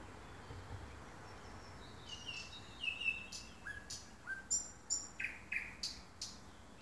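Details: Thrush nightingale recorded at 3am: soft, thin notes rising out of quiet, then a series of sharp, clicking chips and short whistles repeated about twice a second.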